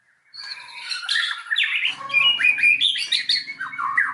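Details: White-rumped shama singing as a lure for rival shamas, a dense jumble of harsh squawky and whistled notes over a faint low steady hum.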